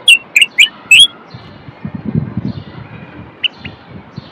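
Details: Common bulbul, Moroccan male, song to encourage other males to sing and females toward mating: four quick bright whistles at the start, then low rustling noise and two faint notes.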